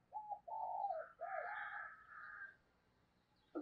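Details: Captive decoy spotted dove performing 'thúc' and 'gáy gọi' lure calling: deep hooting coos in quick succession, overlapped by a higher, brighter drawn-out note, followed by a quiet tail and a brief sharp sound at the end.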